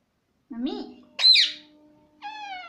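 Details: Pet parrot imitating speech such as "Mummy" and "Mitthu mitthu"; a low nasal syllable, a shrill high squeaky note, then a steady falling whistle-like tone, with faint background hum.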